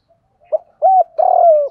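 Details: Short spotted dove coo sequence for training caged birds: a quick low note, a steady arched coo, then a drawn-out buzzy coo that trails off slowly, with a quiet background.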